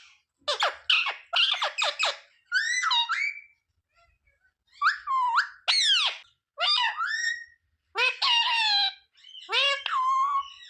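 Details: Caged pet rose-ringed parakeet talking, repeating the words mummy, papa and mithu: a series of harsh, nasal, voice-like bursts with rapid choppy syllables and falling squawky tones, separated by short pauses in a quiet room.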